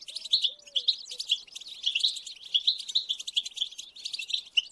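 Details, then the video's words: High, busy goldfinch twittering in continuous bursts of chirps and trills, played to rouse a silent captive goldfinch into song. A few low arched notes sound at the start. "اقوى بتبتات لاخراج حسونك من صمته"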